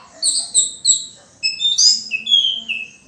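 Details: Orange-headed thrush giving varied high song phrases, meant to stimulate other birds to sing; quick chirped notes, then sweeping whistles and a falling slur, all high-pitched and lively.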